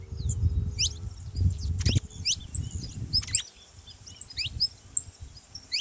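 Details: Saffron finch calls for warming up a quiet canary: a few separate high, down-slurred chirps and sharp ticks spread out, with heavy low rumbling noise through the first half.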